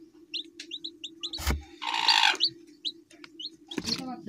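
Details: Chicken chick calling: short high peeping notes, mostly sliding downward, scattered across the clip. A steady low hum underneath, with a few sharp knocks and a brief noisy rush in the middle.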